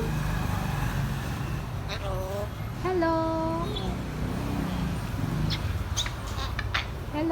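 A grey parrot speaks short, voice-like words, a drawn-out 'hello' with a falling tone, over a steady low rumble of traffic.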